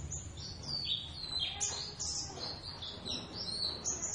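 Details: Javan Oriental white-eyes practising a ngeriwik duet: a lively mix of high whistled notes, short slurs and twitters, varied in pitch, against a faint low hum.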